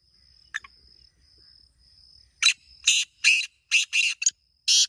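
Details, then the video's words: Black francolin calling: a lone short rasp, then a run of six harsh, grating, broadband notes in quick succession, with a thin steady high whine in the background. "کالے تیتر کی مست آوازیں 🔊 | یہ آواز سن کر تیتر ضرور بولے گا | Original Black Teetar Sound"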